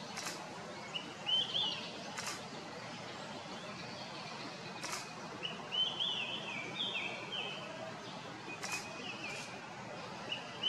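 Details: An Olive-sided flycatcher (Contopus cooperi) calling among dead trees on Avondale Ave, Avon Lake, Ohio, on May 26, 2020, gives short, high whistled phrases a few seconds apart over steady hiss with occasional sharp clicks.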